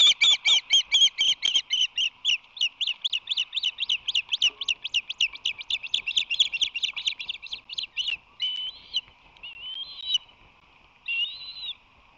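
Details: Visitor at the Whirley Crane osprey nest, March 22, 2019: a quick burst of loud piercing chirps slows into spaced calls, ending in a few longer, drawn-out whistles with gaps between.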